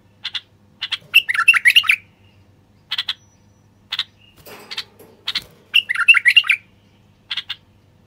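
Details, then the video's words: Male common bulbul singing to encourage silent wild birds to sing and mate. Chirps, a gurgling warble, a soft rustle, then another warble and chirps. "تغريد خاص لتحفيز البلابل الوحشية القافلة"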